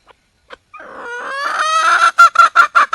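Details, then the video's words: Wild red junglefowl hen calling for a male: a few short soft notes, then a long, drawn-out harmonic note that rises slightly, breaking into loud rapid pulses about five per second. "le bruit d'une poule sauvage,เสียงไก่ป่าร้องหาถู่หาตัวผู้,ສຽງໄກ່ປ່າຮ້ອງຫາຄູ່ຮັກ, poj qaib qus see"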